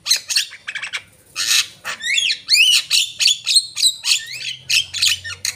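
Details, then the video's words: Javan myna in full song: grating squawks alternate with rapid looping whistled phrases that sweep up and down, the notes coming fast and unevenly, over three per second. "jalak kebo gacor"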